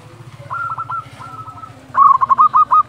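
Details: Zebra dove calling at dusk, a tutor for silent birds; a soft stuttered phrase followed by a loud close run of quick rolling coo notes, with a low hum underneath.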